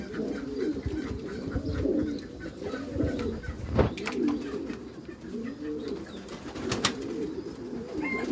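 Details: Several Meulemans racing pigeons kept in a backyard loft coo in repeated low, swelling, arching phrases, several birds overlapping, with sharp clicks and taps of movement near the middle and end.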